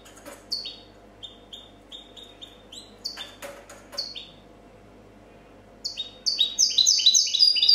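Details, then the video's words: Champion European goldfinch from 2014 delivering copia song: spaced, sharply descending two-part chirps with a few clicks, building into a fast, loud run of high tinkling twitters at the end. "Chardonneret chant copia champion 2014"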